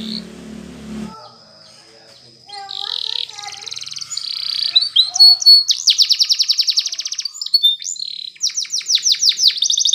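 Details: Spanish Timbrado canary song for training young canaries, opening with faint soft notes and a brief noise, building into bright metallic rolling trills of rapid repeated notes, several phrases in quick succession.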